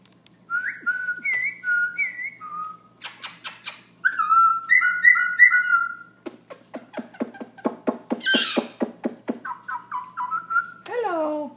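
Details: Black-throated laughingthrush singing nonstop at night around 11pm: varied whistled phrases, short rising and falling notes, bursts of rapid clicking rattles, a harsh buzzy note, then more whistles ending in a falling slur.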